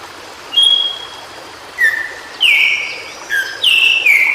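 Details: White-browed shortwing, locally called cingcoang biru, singing in its natural habitat: separate clear whistled notes, each held and gliding downward, spaced by short pauses and stepping between higher and lower pitches, with quiet background.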